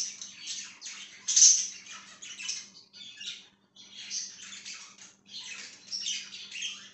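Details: Budgie chirping indoors in raspy squawky phrases broken by short gaps, a loud shrill squeak early on, over a faint steady hum.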